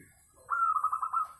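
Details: Local zebra dove singing melodiously, used as a lure to start singing: one short rising note then a rapid run of pulsed, slightly falling coos lasting under a second.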